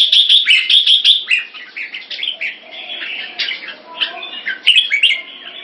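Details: Singapore competition red-whiskered bulbul displaying in captivity: a quick series of high ringing chirps opens, followed by rolling, varied warbled phrases that soften midway, then a final burst of bright, sharp notes.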